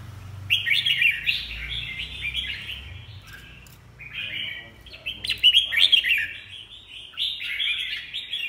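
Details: Red-whiskered bulbul song in two lively bursts of quick warbling, slurred notes separated by a quieter pause, with faint low background noise.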